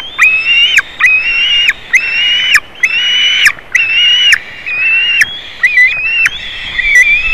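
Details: At a Latvian white-tailed eagle nest on 27 June 2019, with a juvenile visiting the eaglets, a nest camera records steady, drawn-out squealing calls, each lasting under a second and sometimes ending in a dip, repeated about once a second with sharp clicks between.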